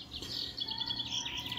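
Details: Goldfinch hybrid singing a rapid twittering run of high chirps and trills with soft tonal hum beneath.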